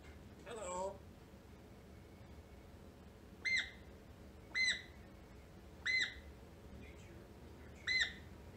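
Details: Pet African grey parrot indoors at night on New Year's Eve, fighting bedtime like a toddler: a brief squawky call, then four short bright whistled chirps spaced roughly a second apart, over a low room hum.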